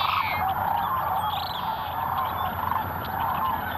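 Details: A dense winter chorus of lesser sandhill cranes at Merced National Wildlife Refuge wetlands, Central Valley, California, on 11 February 2021: many rolling, rattling bugles overlap continuously in a mid-pitched wash, with no pauses.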